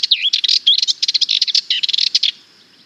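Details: A Sardinian warbler sings a fast, scratchy, angry-sounding jumble of rattling chatters and sweet warbled notes, high-pitched and hurried, for about two and a half seconds.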